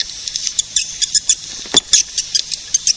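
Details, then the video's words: Edible-nest swiftlet calling, played to attract swiftlets: sparse, short, sharp high ticks and chirps spaced irregularly, with a couple of louder clicks near the middle. "Suara pemanggil burung walet"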